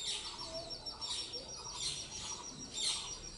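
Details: Indian grey hornbills give high, squeaky squeals in bursts about once a second as a parent feeds its offspring, over a steady hiss of outdoor noise.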